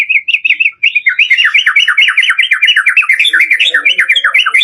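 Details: White-rumped shama full-variation lure song: a few short whistled phrases, then a steady run of fast, repeated looping notes rising and falling, with soft background rustle.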